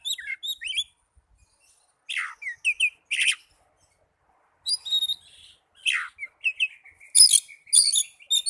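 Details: Song of the oriental magpie-robin, used to stimulate young birds or ones that have stopped singing: varied clusters of crisp chirps, swooping whistles and buzzy trills arrive in irregular bursts with silent gaps between them.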